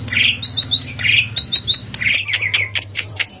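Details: Asian pied starling song recorded as a lure to encourage starlings to sing; fluty downslurred whistles in quick pairs and triplets, then chattering notes and a high sustained buzz, over low humming.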